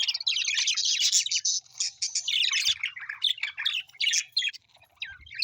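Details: Happy pet budgerigars chatter busily, a dense stream of scratchy chirps, squawks and warbles overlapping with hardly a pause, pitched high and grating.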